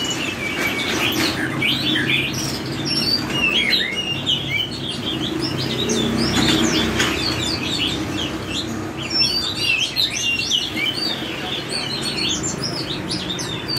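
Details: Oriental magpie-robin singing a long forest-style song: dense, varied whistled phrases, sharp upslurs and twitters, nearly unbroken, with loud broadband background noise throughout.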